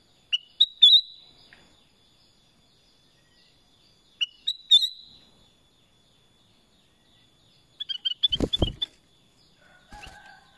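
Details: Black-crested bulbul repeating the same short whistled phrase twice, about four seconds apart, followed by a rapid run of chattering notes and loud knocking sounds.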